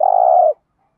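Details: Spotted dove in the 'thổ đồng' calling style used to train decoy birds: a single long, steady, low coo lasting about half a second, then silence.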